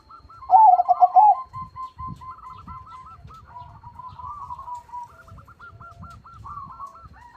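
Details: Crossbred zebra dove (perkutut crossing) with a big voice, singing often: one loud low cooing phrase of about five quick pulses near the start, then softer rolling coos from other doves behind it.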